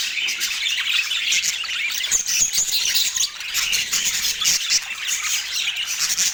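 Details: Pet parakeet feeding on an autumn morning, giving a continuous stream of high, scratchy twittering and chirps, with occasional louder squeaks.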